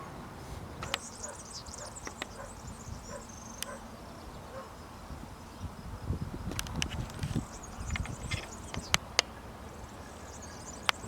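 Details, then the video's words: Wild European serin in branches, Zamudio, Bizkaia, 2 June 2019, delivering thin, high, rapid jangling phrases early and late in the recording, broken by sharp clicks, with soft low background rumble and brief rustling in the middle. "TXIRRISKIL ARRUNT ADARRETAN ABESTEN_2019.06.02_/Serinus serinus _(Verdecillo cantando en las ramas)_"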